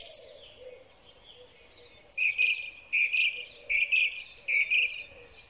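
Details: Song thrush singing in spring, recorded with a Huawei P30 Pro phone: after quiet background chirps, a bright two-part phrase is repeated four times at roughly regular intervals.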